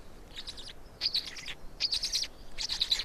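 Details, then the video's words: Black storks in Estonia during a feeding on 16 May 2019, 16:58: four quick bursts of piercing, raspy chirps, growing slightly louder, over light background noise. "Estonian Black Storks - Feeding for two"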